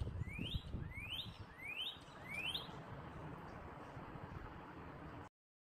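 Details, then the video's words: Four rising, slurred whistled notes from a northern cardinal in a backyard, spaced roughly two-thirds of a second apart, over a low rumble, then the recording falls silent. "Northern Cardinal Sounds"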